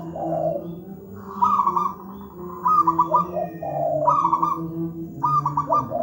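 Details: Local zebra dove singing a deep, dense master song: low soft coos each followed by a quick rolling trill, about four phrases roughly every one and a half seconds, with a low hum underneath.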